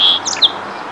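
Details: Song sparrow singing on territory at Minnesota Valley National Wildlife Refuge, with common yellowthroat, red-winged blackbird and yellow warbler in background: a brief fragment, a clear steady high note, quick sharper chips and a bright closing note within a second.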